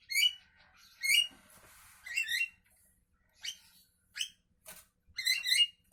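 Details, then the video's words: Javan myna in the morning, loud harsh squawking notes with strong overtones, delivered singly and in quick doublets, interspersed with short sharp clicks. "Burung jalak kebo pagi Hari"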